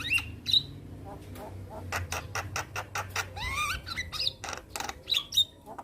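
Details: Black-winged starling in captivity, singing lively with head-bobbing: clear whistled notes and a rising slurred phrase among rapid dry clicks and harsh squawks, repeated through the passage.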